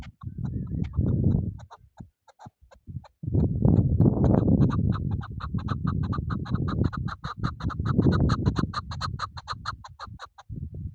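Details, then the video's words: Chukar partridge kept for hunting, giving a rapid series of sharp, clucking notes that build into a steady repeated chatter, over heavy low rumbling noise. "Shikari chakoor شکاری زرک"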